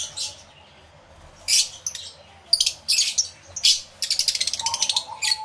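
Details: Many lovebirds in an aviary, recorded with two external microphones: harsh, high chattering shrieks in bursts, ending in a fast run of rapid repeated chirps.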